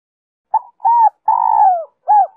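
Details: Spotted dove singing the 'Giọng Kim 2 hậu' pattern, a lure for wild doves and a prompt for decoy birds. Short introductory note, a hooked coo, a long trilling descending coo, then one arched final note. Clean recording.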